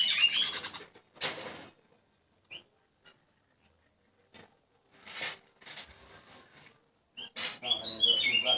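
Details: Golden weaver giving loud scratchy calls: harsh, rasping broadband bursts and buzzy chatter at the start and end, with isolated sharp high chips and softer grating notes between.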